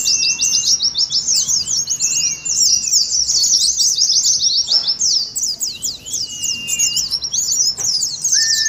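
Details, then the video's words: Oriental white-eye ngeriwik twittering, wild-type, used to stimulate caged birds: crowded, fast, high chattering notes throughout, with short whistled phrases lower down. "TERAPI PLECI NGERIWIK , PANCINGAN PLECI NGALAS"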